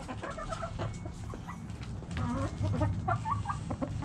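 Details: Backyard hens cluck in short repeated phrases throughout, over a strong low-pitched rumble in the background.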